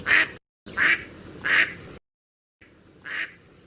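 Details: Harsh, nasal quacks from a Mallard duck, three loud calls in quick succession, a pause, then a fourth softer quack.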